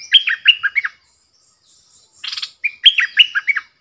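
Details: Decoy bulbul singing to wild birds: a crisp phrase of four bouncy, descending whistled notes, a short buzzy rattle, then the same lilting phrase repeated.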